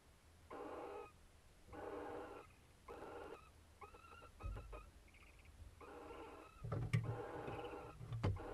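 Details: Barn owls at a live nest cam in Görbeháza, Hungary, on April 30, 2022, with eggs in the nest, as the male brings prey to the female. Harsh, raspy hissing bursts come roughly every second, with sharp clicks and a few dull thumps at the nest.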